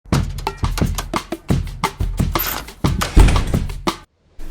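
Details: Punchy percussion beats and drum hits form a rhythmic music track that cuts off near the end, with no animal sounds.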